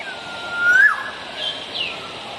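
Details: Wild black-naped oriole giving a clear whistled note that glides upward and ends abruptly, followed by fainter high thin notes over a steady hiss of background noise.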